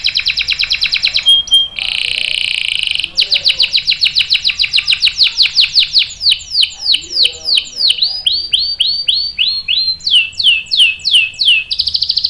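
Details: Lively canary delivering long rolling song used as a lure and tutor for young canaries; rapid high trills give way to a sustained buzz, then a run of slurred downward sweeping notes about three per second, ending in a fast trill.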